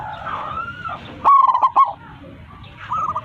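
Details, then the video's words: A single powerful rolling coo phrase from a local zebra dove calling to its flock, a quick run of throaty notes, framed by fainter drawn-out and hooked coos before and after. "PERKUTUT LOKAL GACOR 27 MEMANGGIL KAWANANNYA MANGGUNG suara besar"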